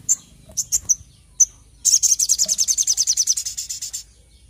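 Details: Little spiderhunter singing vigorously: a few spaced high whistled notes, then a rapid, even series of about twenty piercing high notes that slowly fades, with faint background hum.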